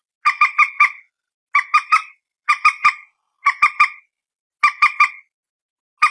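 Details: Common moorhen, known as peruk, tiung or mandar batu, phone recording: six rhythmic bursts of three or four quick, harsh clucking notes, spaced roughly every second, in a clean, quiet background.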